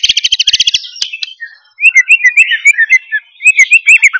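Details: White-rumped shama singing loudly to provoke others: a quick, rattling burst of evenly repeated high notes, a pause, then a string of short whistled chirps about three to four per second.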